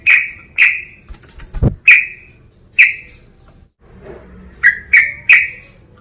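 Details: Yellow-vented bulbul (trucukan) calling to a rival to provoke it: loud, sharp chirps falling slightly in pitch. Two come early, then singles at about 2 and 2.8 seconds, then a quick run of three near the end. A brief low thump is heard midway.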